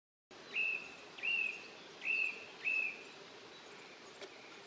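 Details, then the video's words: Song thrush, probably a male, singing in early May near its nest in Poland, typically from treetops early in the breeding season: one clear, fairly high whistled phrase repeated four times, about every three-quarters of a second, over steady background hiss. "A jeśli słyszycie taką piękną pieśń to znaczy że gdzieś w okolicy macie drozda śpiewaka"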